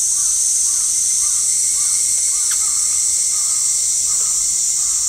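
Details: Ruddy-breasted crake giving a series of short, arched, harmonic notes spaced roughly half a second apart. They are faint beneath a loud, steady, high-pitched hiss.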